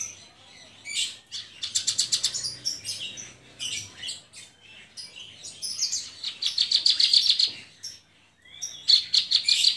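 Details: Javan bush lark, a caged bird in gacor singing, delivers a loud high-pitched song of rapid trilled bursts and repeated chirps, fast rattling series broken by short pauses, with a faint low hum underneath.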